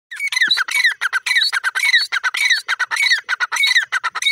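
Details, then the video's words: Desi grey francolin (teetar) calling: loud harsh repeated squawking notes, rapid chattering series of strident rising-falling syllables, dense and continuous throughout. "my desi teeter bird calling teetar ki awaz"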